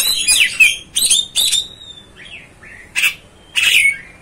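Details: Oriental magpie-robin mixes harsh chattering bursts with soft gliding whistles, a pause, then two further rasping notes.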